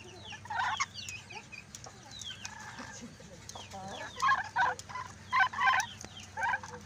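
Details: Talking lory, starting with soft thin whistles and faint chatter, then giving louder rounded speech-like syllables in quick pairs toward the end, with a constant low hum underneath.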